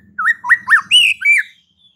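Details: White-rumped shama, a caged songbird kept for contests, singing a short phrase of four to five loud whistled notes, rising and falling slurs, with a faint low hum beneath at the start.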